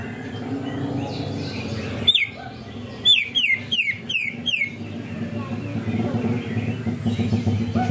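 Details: Greater green leafbird song with canary-style imitation material: a single sharp note, a pause, then a burst of five or six rapid falling whistles over a steady low rumble.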